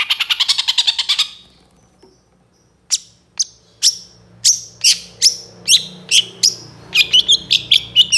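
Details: Long-tailed shrike, young bird in moult, singing a song full of mimicked phrases for use as a lure: a fast rattling series of harsh notes, a silence, then a string of sharp descending whistled notes, quickening toward the end.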